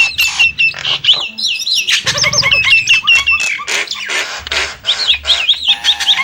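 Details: Varied Nias hill myna whistles, a mix of looping, rising and falling clear notes and harsh squawky bursts, given rapidly and without a steady rhythm.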